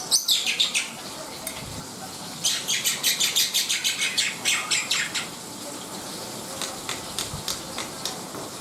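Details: Black-winged myna song: after a few opening notes, a rapid run of harsh rasping chatter about three per second, then sparser sharp calls near the end, with a soft steady background hum.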